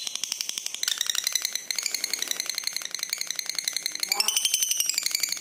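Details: Red-eyed lutino lovebird giving a long trilling song, used to prompt and tutor other lovebirds: a dense, fast rattling trill of rapid pulses that continues without a break, its pitch stepping up near the end.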